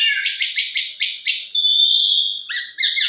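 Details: Asian pied starling singing to provoke rivals into song: about six quick rasping chirps in a row, then a long steady whistle and a final burst of buzzy notes.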